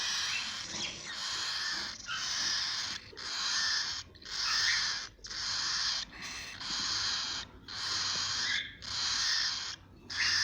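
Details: Cockatiel chicks giving harsh, hissing rasps, each lasting about a second, repeated almost once per second in a steady run with short gaps between bursts.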